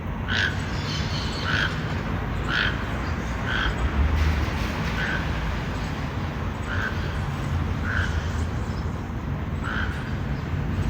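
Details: Toucan calling loudly in the forest; short croaking notes repeat about once a second in a steady series over a constant low background rumble.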